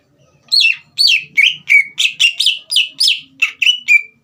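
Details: Green leafbird in full song, kept to rouse a young speckled bird into singing: about eleven loud, sharp whistled notes, each sweeping down to a steady tone, delivered in quick succession with brief gaps.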